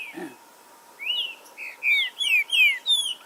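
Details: Green-winged saltator song used as a stimulating recording to provoke aggressiveness and singing, in a forest setting: short whistled, slurred notes, falling and rising, in quick bursts after a pause, with a steady faint hum behind.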